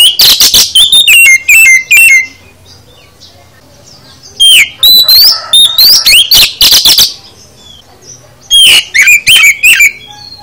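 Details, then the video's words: Kacer, the oriental magpie-robin, singing a full isian song meant to set other kacer singing: three loud phrases of rapid whistles, slurred upslurs and scratchy notes, each about two seconds long, separated by quiet pauses. "Kacer Anda Bisa NYAUT GACOR, Setelah Dengar Kicau KACER Full Isian ini"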